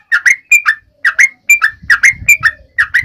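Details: Sooty-headed bulbul calling its companions: doubled downslurred whistles interspersed with single level notes, irregularly spaced, with a low rumbling thud in the second half.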